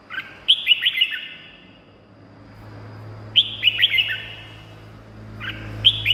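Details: Red-whiskered bulbul song meant to excite caged birds or draw in wild birds: short clusters of quick, clear whistled notes, spaced a few seconds apart, over a steady low hum.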